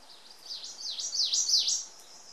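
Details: Song of an Ijima's leaf warbler near the Akakokko nature centre: a quick run of five or six high, whistled V-shaped notes, each sliding down and back up, growing louder toward the end.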